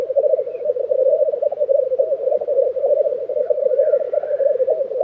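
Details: Continuous low rookooing bubbles from a black grouse lek in Tiveden, Sweden, April 2023, with a faint higher warble from another bird toward the end.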